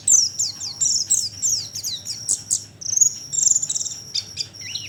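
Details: Oriental white-eye sound used as a bird lure: a quick series of high descending chirps and twitters, slowing into scattered notes over a steady high whine, ending with a lower curled note.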